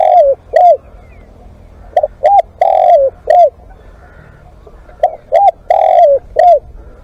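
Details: Spotted dove cooing as a live decoy: repeated phrases of paired short coos, a drawn-out sliding croon and a last coo, coming about every three seconds.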